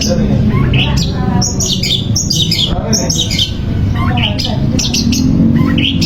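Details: Long-tailed shrike singing, played to provoke a reluctant shrike into song; a busy run of sharp chattering notes and high squeaky whistles, mostly short and varied, over a steady low rumbling background.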